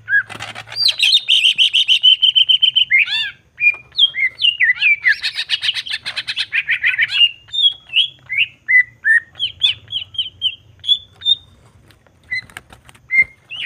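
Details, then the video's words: Greater green leafbird in full loud song, used as a trigger to provoke other leafbirds: a fast, varied song of chattering, whistled and warbled notes, with a faint low hum behind. "Cucak ijo gacor jamtrok Nembak bongkar isian. Pancingan emosi cucak ijo"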